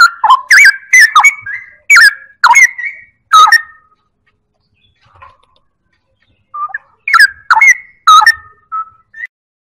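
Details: Straw-headed bulbul pouring out rapid, bubbling whistled phrases for about three seconds, falling silent briefly, then resuming with another burst of rich, warbling notes ending in short clear whistles.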